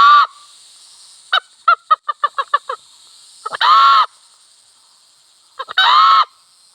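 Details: Wild red junglefowl hen and cock in village country: a brief crow, a loose run of about eight clucking notes, then two separate short, hoarse crows each led by quick stutters, above a constant insect drone.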